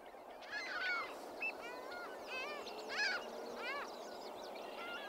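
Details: Flock of ring-billed gulls flying right overhead at a wetland in May, calling loudly: repeated harsh, laughing downslurred cries from several birds, overlapping in bursts about every second, over a steady background hiss.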